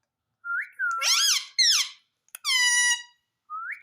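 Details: Pet Indian ringneck parakeet talking, saying "mummy" indoors. Short rising whistles frame clear, voice-like syllables with rich harmonics, including a drawn-out tone; the sounds are separated by brief silences.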